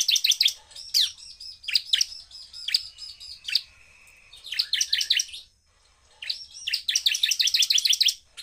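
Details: Fast, forceful song of a bar-winged prinia meant to stir up other prinias: dense bursts of rapid high trilled notes alternating with clipped chirps, a brief silence, then another quick trill.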